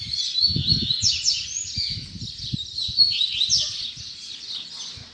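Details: Coleiro (Double-collared Seedeater) in the final puxada singing session of 2019, delivering quick high warbled and slurred whistles with sharp downward sweeps, a steady stream for five seconds over soft low thumps.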